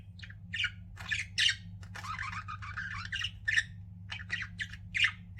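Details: Pet budgies chirp and chatter, a long scratchy warbling run in the middle framed by sharp squawks, low hum underneath.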